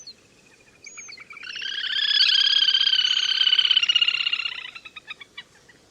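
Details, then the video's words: Lesser whistling duck call for luring: a long, dense, rapidly pulsed, buzzy chatter of about three seconds that breaks into separate, slowing pulses at the end. "Tiếng Chim Le Le Hôi"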